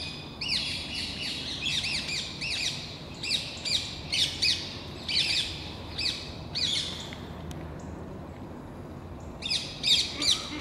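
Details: Around ten excited Rose-ringed Parakeets harass a red squirrel fleeing along plane trees at Versailles gardens; rapid series of harsh rising-falling screeches, repeated rhythmically for several seconds, a brief lull, then more shrieks.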